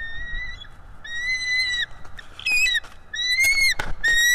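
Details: Nest-cam bald eagle driving away a strange eagle: long high whistles that rise slightly and then drop, followed by a burst of sharp chittering notes, with some background noise.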